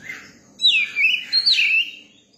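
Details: Young Oriental magpie-robin, tame with people, sings a short clear whistled phrase. Notes slide down, then rise and fall again in smooth loud loops after a soft opening chirp.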